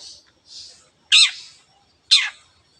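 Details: Long-tailed shrike calling, used to excite other birds into singing: two soft hissing notes followed by two loud, harsh, downward-sweeping notes about a second apart.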